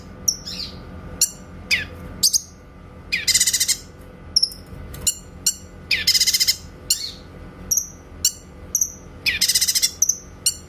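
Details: Master song of a grey-cheeked bulbul for tutoring magpie-robins, with clear shooting notes. Piercing short whistles and flicks alternate with dense rattling bursts every few seconds. A steady faint hum runs beneath.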